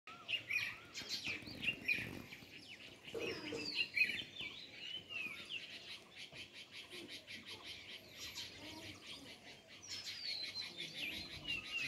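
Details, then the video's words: Sparrows chirping as a busy chorus of short, bright, overlapping chirps and twittering notes, steady throughout with no pauses and a few louder bursts near the start. "Sparrow (Birds) Chirping Sound"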